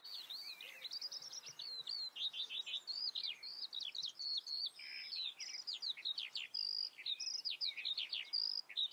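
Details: Common redstart singing: a long, busy run of high twittering and chirping phrases, quick slurred notes swooping up and down with short pauses between bursts, over a quiet background.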